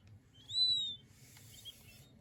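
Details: A king quail chick gives one drawn-out high whistled peep, slightly falling, followed by faint softer sounds and a low background hum.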